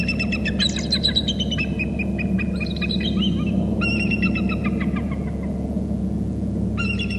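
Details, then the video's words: Excited calling from a pair of bald eagles landing at a Hornby Island nest, caught by a territory camera: rapid chittering, squealing notes slurring downward in two long bursts, then a brief final burst, with a steady background hum. "2 eagles into the bst from the right calling excitely"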